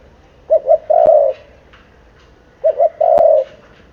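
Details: Seven-month-old spotted dove repeating its coo twice, two short notes then a drawn-out low coo per phrase, with sharp clicks over the calls.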